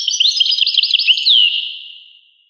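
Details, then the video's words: A short burst of European goldfinch twittering, a few quick liquid notes and a single downward slur that fades out. "Carduelis carduelis. song Carduelis carduelis pure and Nice-Birds The song"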